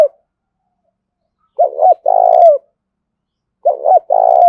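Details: Decoy spotted dove cooing vigorously to draw in wild birds; two phrases, each a pair of quick low coos followed by a drawn-out vibrating coo that falls at the end, separated by silence.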